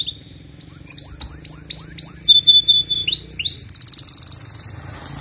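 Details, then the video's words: Caged canary song played to help weak singers: a series of repeated upswept whistled notes, then a fast even buzzy trill near the end, over a low background hum. "إذا لديك كناري ضعيف في تغريد سمعه هذا الغناء وشاهد الكناري ماذا يفعل"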